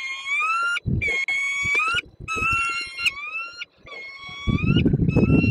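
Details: Peregrine falcon at its Słupsk nest on 5 April 2022, after leaving a prey gift and meeting its mate. Long, loud, nasal wailing calls, each about a second, repeated four times with brief gaps, ending in rustling noise.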